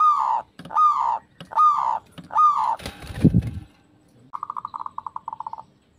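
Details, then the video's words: Four drawn-out, slightly falling coos about once a second from a zebra dove (perkutut), a brief low thump, then a quick, even rattle of soft staccato notes. "Pancingan Perkutut Manggung"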